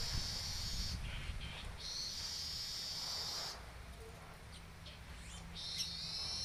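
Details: Canary-tutored yellow-headed weaver singing on 10 July 2019: long sizzling buzzes broken by short gaps, then quieter scattered chips before a final hissing phrase, with constant low rumble behind.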